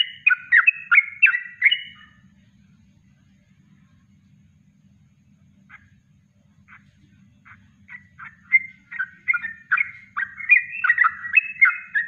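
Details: Natural kongslet song of a Yellow-vented bulbul, a master recording for bird training: a quick burst of bubbling notes, several seconds of near silence, then faint scattered chips building back into lively, fast chattering phrases.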